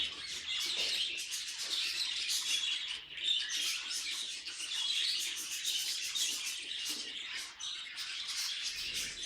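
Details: Budgerigar kept at home, warbling steadily: a thick stream of rasping chirps, clicks and squeals, with two short dips in loudness near three and seven and a half seconds.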